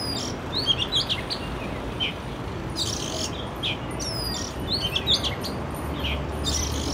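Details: Oriental magpie-robin (Copsychus saularis) in an urban setting gives scattered sweet, high whistles and chirps, a note or short phrase every second or so, over a steady background rush of noise.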